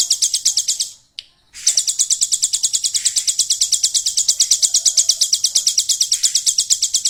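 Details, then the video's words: Hill prinia kept in a cage, its song filled with mimicry of the golden grasshopper. Fast, high, buzzy pulses repeat evenly, break off briefly after one second, then resume in a steady insect-like trill. "ciblek gunung isian belalang emas"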